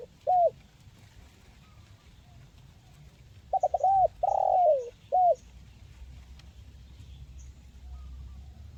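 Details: Spotted dove (tekukur) giving a crisp 'mersik kuk 1' style coo, played to coax quiet birds into calling: one short coo, a pause, then a phrase of quick stuttered notes, a long drawn coo and a final clipped note; low background hum.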